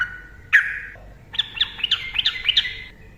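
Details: Yellow-vented bulbul giving ropel song as a lure for silent bulbuls; one sharp slurred note, then a run of about seven quick liquid whistles rising and falling, with a soft background.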